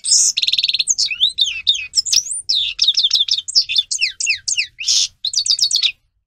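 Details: European goldfinch song used as a tutor model for teaching young goldfinches to sing: a rapid, continuous run of bright twittering notes, buzzy trills and quick rising and falling chirps, high-pitched and varied, lasting about six seconds before stopping.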